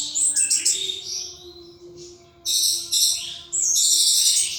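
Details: Caged thrush kept as a pet, singing nonstop and wildly: bursts of very high, rapid, scratchy and twittering notes, broken by short pauses, over a faint steady hum.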